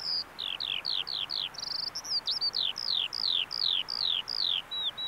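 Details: Eurasian skylark recorded at a bulb farm in Saanich, B.C., delivering a quick string of thin, high, downslurred whistles, roughly three per second, with a short flat note and a twisting phrase partway through.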